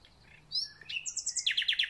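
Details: At the start of spring a thrush nightingale sings a short whistled phrase followed by a run of loud, evenly spaced rattling notes, rapid and metallic.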